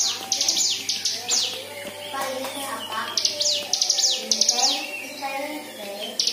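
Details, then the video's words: Lure recording of white-eye song meant to set other birds singing, packed with varied fill: bursts of high, quick descending chirps alternating with lower warbling, wavering whistles, and a faint steady hum early on. "Pancingan Cigun Agar Bunyi"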